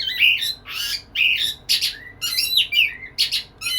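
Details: Courting white-rumped shama addressing a female, delivering loud phrases of whistles and harsh rasps in bursts roughly every half second, with short gaps between them.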